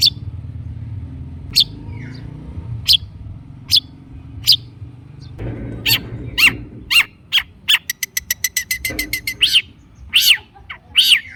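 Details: Long-tailed shrike singing energetically as lure audio to get stalled shrikes to respond; scattered single sharp notes, then a rapid accelerating string of clipped chirps and a few harsh ending notes.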